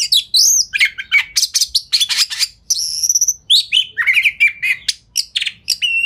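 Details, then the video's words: An Oriental magpie-robin delivers rapid lure song with open tail to trigger answers from other magpie-robins: dense rasping chips, a sustained high whistle and rolling warbles, all very fast. "Pancingan Kacer Gacor Speed Rapat Buka Ekor! Buat Kacer Lain Auto Nyaut"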